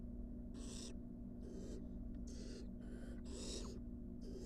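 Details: Rapid run of harsh, noisy hissing bursts, about six in four seconds, from wild barn owl nestlings that have come back into the nest box after being on the porch, with a constant low hum behind.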